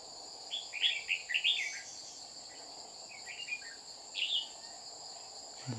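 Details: Red-whiskered bulbul, wild bird threatening a decoy during trapping in Đồng Nai, Vietnam, 30 July 2019. Rich, rapid warbled phrases in two or three bursts, with a steady insect whine and a low thump at the end.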